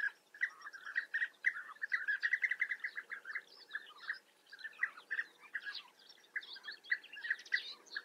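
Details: European bee-eaters at a nesting colony in Germany's Eifel: dense, rapid series of rolling trilled calls from many birds, nearly continuous for eight seconds, loud and bright, with higher chirps layered over them.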